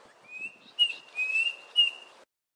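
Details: Klaas's cuckoo (Chrysococcyx klaas) call: a clear, high, plaintive whistle held level, swelling into three louder notes about half a second apart.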